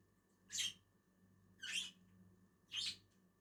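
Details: Two lovebirds eating on a tree give three shrill, harsh chirps spaced about a second apart, each a short burst, with quiet pauses between.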